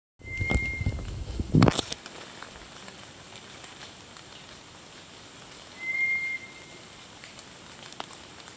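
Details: White's thrush (Zoothera aurea) near Mount Kenashi, Shimane Prefecture, Japan, on 6 June 2022, giving two thin, level, eerie whistles about five seconds apart, with a brief knock between them over faint hiss.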